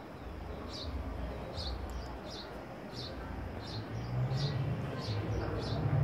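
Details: A house sparrow gives short, high chirps, about one every two-thirds of a second, over a steady low rumble of background noise.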